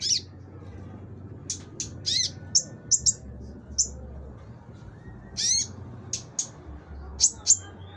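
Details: Konin singing energetically: a steady series of high, sharp squeaks and chips, singly and in pairs, spaced irregularly across the phrase, with a faint low hum behind.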